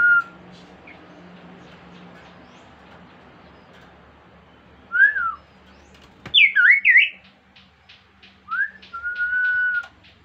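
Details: Kaso-kaso bird, an insect-eating bird, singing as a lure to get other birds to sing: after a short opening whistle and long quiet, come sharp swooping whistles, then a wavy tumbling phrase and a steady held whistle, over faint buzzing.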